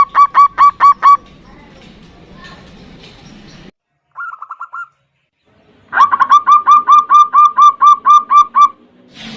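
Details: Local zebra dove, a lure recording meant to call and provoke a rival, in the 'ndudut' variation style. Rapid series of short rolling coos repeated about twice a second, a brief softer burst midway, then a longer steady run of coos.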